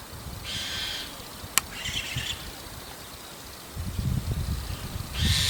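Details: ['Evening calls of a White-cheeked starling perched on a roof; a rasping half-second note, a shorter scratchy call, then another harsh note, with a sharp click and low rumbling noise.']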